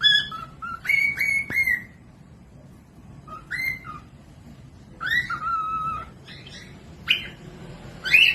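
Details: Cockatiel whistling song meant for training other birds that are reluctant to sing: clear sustained whistles, some level and some sliding down, in phrases of one to two seconds with pauses between.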